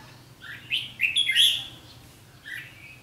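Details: Red-whiskered bulbul decoy bird singing a fighting song at a trap, recorded 7 July 2016: short bright warbled phrases, rising and falling, a loud burst mid-clip and a softer phrase after, low hum beneath.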